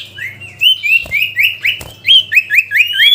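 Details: Sooty-headed bulbul song aimed at a rival: a lively string of upslurred whistled notes, roughly four per second, varying slightly in pitch, with two soft clicks and a low background hum.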